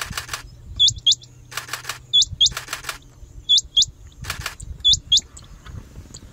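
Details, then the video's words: Male rain quail calling close by while preening, near fields at Bhigwan, India, July 2021, in the monsoon breeding season; a territorial call to other males. Sharp, high, upslurred paired notes about every 1.5 seconds between loud rustling bursts. "Rain Quail"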